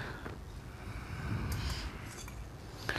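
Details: Only faint low room rumble and a few soft knocks and rustles are heard, with no clear animal voice.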